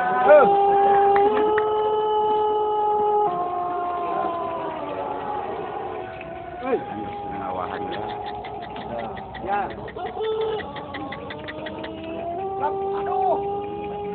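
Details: Several Pelung roosters at a national Pelung crowing contest in Garut crow long, drawn-out, melodic crows that overlap, with voices of people in the background.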